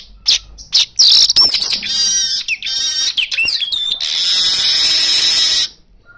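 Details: An Asian golden weaver song used as a lure recording: a dense, rapid string of high chattering notes, buzzy sweeps and sizzling trills, ending in a sustained hissing wheeze.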